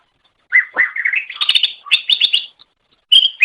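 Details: Greater green leafbird song used as a training recording for pet songbirds: varied chattering and whistled notes, rich and warbling, in a run of about two seconds, then a short pause and a bright burst of notes.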